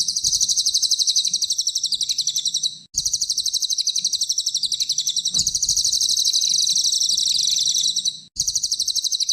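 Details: Cililin (small minivet) in rapid 'tembakan' song, recorded as training material for songbirds: sustained, tightly packed high-pitched chatter running several seconds at a time, with brief silent gaps between bursts.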